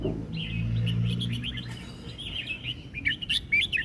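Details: Red-whiskered bulbul song of the word-emphasis style: a run of chattering, warbled notes that sharpens into louder clipped phrases toward the end, over a low humming background.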